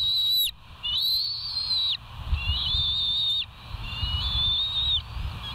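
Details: West End bald eagle filmed by a live cam on the morning of 17 September 2023, 06:50. Three long, steady, high whistles of about a second each, with ringing overtones and slight pitch steps, separated by short pauses. Faint low rumble beneath.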